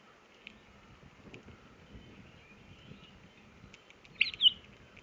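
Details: A foraging pine grosbeak, filmed on a feeder cam on 10 April 2018 at 19:56, gives a brief, clear two-part whistled call near the end, after a few faint soft ticks over a low background hum.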